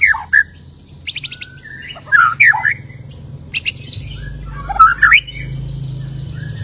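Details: White-rumped shama after moulting, singing and showing off its repertoire: sharp squawky notes and short twisting phrases in short bursts, separated by brief buzzy rattles and quiet gaps, with a low steady hum underneath.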